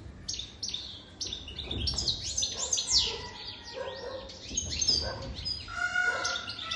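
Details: European goldfinch, an adult over three years old, singing a fast, twittering song of high tinkling notes, buzzy trills and short slurred whistles, with a few lower, softer notes mixed in and little pause throughout.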